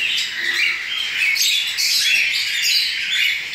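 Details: Recently fledged cockatiel chicks being hand-fed, fed three times daily. They produce a loud, rough, buzzy begging rasp with pulsing rises in intensity.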